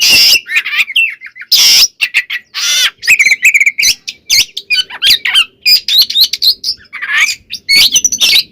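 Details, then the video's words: Full, energetic white-rumped shama song played to provoke other shamas: a nearly continuous stream of harsh squawks, chattering notes and whistled slurs, densely packed with few pauses. "Suara Burung Kacer Gacor Full Isian, Pancingan Kacer Agar Cepat Emosi"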